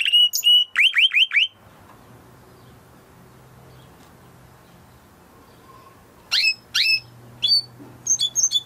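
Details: Timbrado canary singing in a training recording: short bursts of repeated downward-swept notes open the clip, then a long near-silent gap with a low hum, then a few more separate high chirps and brief rattles near the end.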